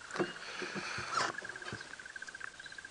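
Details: A crested barbet calls overhead before sunrise on World Dawn Chorus Day, 7 May 2017. It gives a long, even, rapid trill of steady mid-pitched notes, like a ringing alarm clock, while a man's voice talks over the start.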